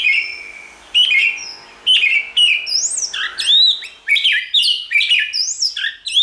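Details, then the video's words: White-rumped shama, likely caged, singing a varied song used to stimulate another shama to sing: a long steady whistle, then rapid bright phrases of swooping, rising and falling notes repeated about every half second, with clean background. "Kích Chòe lửa hót nhiều giọng, Hót Căng lửa,chòe lửa đánh đuôi kích cực nhạy.luyện chòe lửa hót"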